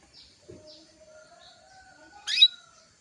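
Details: Female canary voicing a call to stimulate a male into song: one loud, quick, rising buzzy note near the end, preceded by faint thin whistles and soft chirps.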